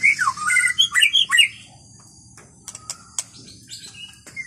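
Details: White-rumped shama singing in wild forest. A burst of rich, rapid whistled phrases slides and warbles through the first second and a half. After that only faint high chips and quiet gaps remain.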